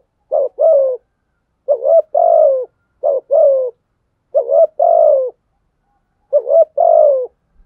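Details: Spotted dove used as a lure, cooing to provoke wild doves to fight; five evenly spaced two-part phrases, each a short rising note then a longer mellow coo that slides down at the end.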